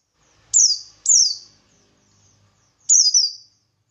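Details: Ngalas song of a buxtoni white-eye, used to spark answers from other birds of its kind; three piercing, high, falling whistles, the first two close together, the last after a pause, over a very faint low hum.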